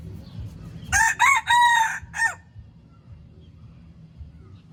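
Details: Red junglefowl crowing: one loud, harsh crow of several segments, rising then held, lasting about a second and a half, over a steady low rumbling background.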